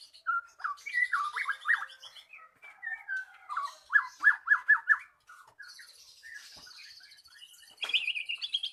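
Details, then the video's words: Magpie-robin song as a lure to get a reluctant bird singing: quick repeated whistled notes in rhythmic runs, a quieter scratchy stretch, then a high buzzy trill at the end. "Pancingan Burung Murai Macet Jadi Gacor"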